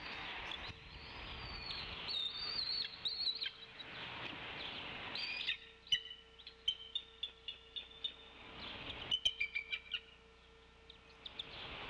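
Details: Female bald eagle at the Decorah nest, 27 April 2016 in late afternoon, calling from off the nest while the male feeds the eaglets. Thin high whistles open, then a rapid run of sharp high pips chatters between six and ten seconds.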